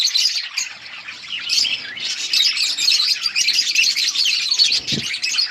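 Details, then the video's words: Flock of budgies chattering as they feed, a steady stream of bright, scratchy chirps and warbled notes layered together, with a short low knock near the end. "Budgies parrot eating and chirping sounds budgies colony"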